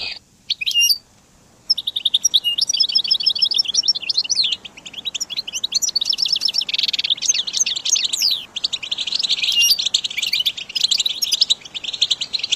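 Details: Caged goldfinch delivers a long, rambling song of fast, high twittering, thin whistled notes and dry buzzy trills, after a short silent pause at the start.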